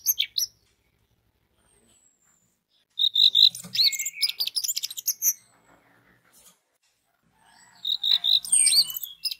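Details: Song of an orange-headed thrush played to make others of its species start singing: bursts of tumbling, varied whistles and twittering phrases, separated by quiet gaps of a few seconds.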